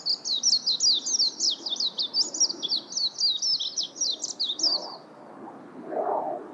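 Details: Rapid high twittering of a warbling white-eye, zigzagging chirps run together for about five seconds, then stop, leaving low rustling and a muffled thump.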